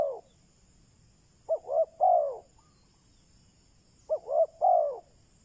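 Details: Spotted dove used as a decoy bird to lure wild doves, giving two short cooing phrases, each of two quick notes and a longer falling coo, separated by about two seconds of quiet.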